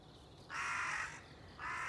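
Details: Crow on 30 September 2020 calling two harsh, hoarse caws, the first long and drawn out, the second starting just as the clip ends, over low background rumble.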